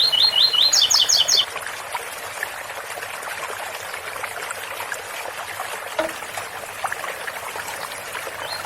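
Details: Double-collared seedeater singing the ouro fino song style, 8x4 - 7x4, beside a water fountain: one quick phrase of about eight clipped mid-high notes, then a run of higher sharp notes, followed by steady trickling and splashing water.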